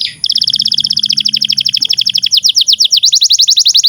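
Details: Canary song used as a tutor recording for young canaries and for canaries that have stopped singing: after a brief opening note, a long, fast, even trill of high sweeping notes, at first steady, then turning into quicker downslurred notes.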